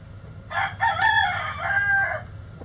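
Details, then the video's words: One loud rooster crow: a harsh, wavering, buzzy cry held for about one and a half seconds, rising and falling slightly before it ends, over a low steady hum. "Chicken Sounds Egg Song | Rooster Crowing"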